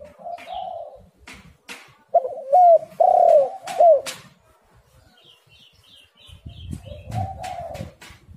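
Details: Spotted dove calling, used as a lure to prompt lazy birds. Soft coos give way to four loud, bent, hooked notes over regular clicks, then faint chirps and a low rumble before a final soft coo.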